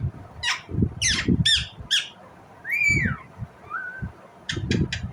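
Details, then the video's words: Indian ringneck parrot squawking: several harsh, sweeping squawks, then a longer arching cry and a short flat whistle, followed by a quick rasping trio, with low bumps and handling noise throughout. "Indian Ringneck parrot Natural sound, parrot chirping sound"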